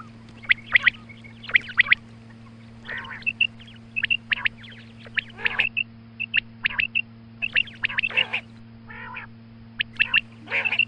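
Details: Female quail heard in the early morning, a recording meant to attract quail on hunts: scattered groups of sharp, squeaky notes and brief whistles separated by short pauses, against a continuous low buzzing hum.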